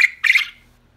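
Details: A pet male quail, isolated alone and calling for his separated females, crows: a brief sharp note, then a harsher, buzzy high burst, the whole call over in under half a second.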